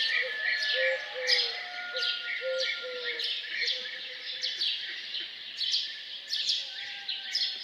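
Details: Morning songs of birds around a farmhouse, bright overlapping chirps with low short whistled notes repeated in the first few seconds.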